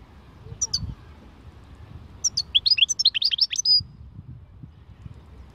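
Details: European goldfinch song in the khalwi style: a couple of sharp chirps, then a fast liquid twittering run of rising and falling notes ending in a drawn-out high buzzy tone.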